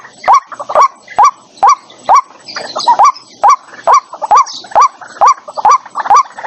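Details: Trapping lure recording of a white-breasted waterhen from 2023, no background noise: steady run of abrupt nasal notes that rise quickly, roughly two each second, punctuated by crisp clicks and a brief faint hiss midway.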